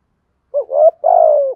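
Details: Spotted dove giving a 'thúc gù' coo in the low 'giọng thổ' voice: a short soft lead note, a rising coo, then a longer, steady, throaty coo. The notes are low and mellow, with no other sounds.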